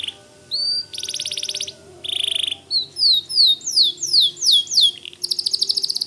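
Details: A white canary in full song mixes dense buzzy rolls, a series of falling slurred whistles in quick succession, a short dip, and a closing fast rattling trill.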